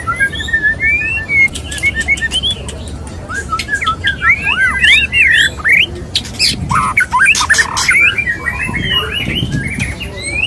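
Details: A male white-rumped shama (murai batu) courting a female, giving a varied run of looping whistles, sharp chips and rough squawks in irregular bursts, with short pauses and faint low rumbling noise.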